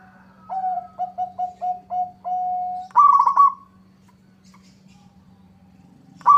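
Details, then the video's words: Local zebra dove song aimed at drawing a rival's reply. Short evenly spaced coos build to one long held coo, then a loud rolling trill. Another trill begins just at the end. A low hum sits beneath. "Suara perkutut lokal gacor bikin nyaut lawan"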